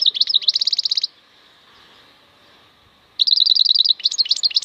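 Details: European goldfinch, a wild bird known locally as maknine khalwi, gives quick high trilled phrases of repeated chirps. A two-second silence separates them before another fast twittering run.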